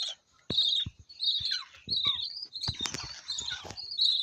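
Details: Budgerigar chicks, five babies in one nest being fed by their parents, give high, raspy chirps in quick, uneven bursts as they beg for food.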